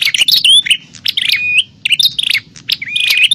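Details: Rapid, agitated chattering of a bar-winged prinia in a fighting call meant to attract wild birds, with scratchy high chirps and short rising whistles tumbling together in quick succession.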